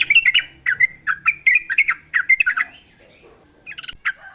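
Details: Yellow-vented bulbul song from the wild, offered as a lure so other bulbuls sing in reply. A rambling series of liquid, warbling notes for over two seconds, then quiet, ending with a couple of brief chirps.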